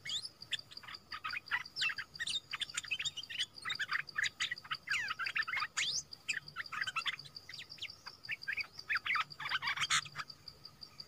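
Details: Young caged bulbul with a big voice, in training as a new decoy bird after two months in the cage, delivering a lively stream of rapid varied chirps, trills and short warbled phrases, with a steady high thin tone running throughout.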